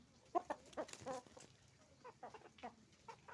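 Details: Roosters and hens together at a chicken farm, a busy flock making noise: short overlapping clucks and brief squawks in quick irregular succession over a steady low hum.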